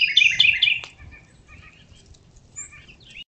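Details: Wild birds singing outdoors where squirrels feed on fallen seeds: a quick burst of high, bright twittering chirps, then faint scattered high notes over soft low rustling.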